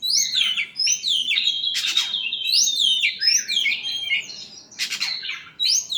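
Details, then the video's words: Song of an oriental magpie-robin just after sunbathing, a rapid string of high whistled and slurred notes mixed with harsh scratchy rasps, delivered almost continuously with brief pauses. "Ngetes burung kacer habis jemur"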